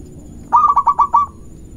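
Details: Local zebra dove giving a lure song meant to provoke rivals: one phrase of six quick, stuttered mellow coos with a fading tail, over low steady background hum.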